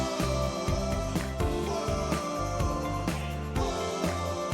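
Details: Rhythmic instrumental music with a steady beat and plucked tones throughout, with no animal sounds.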